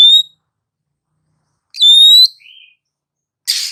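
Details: Female Oriental magpie-robin whistling to stir sluggish males into song. Two clean ascending whistles, the second followed by a brief lower warble, ending in a harsh scratchy note.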